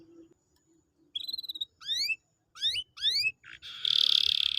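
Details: Canary singing, used to coax a reluctant canary into song: a few spaced phrases of swooping rising whistles with a faint low hum beneath, ending in a dense buzzy trill.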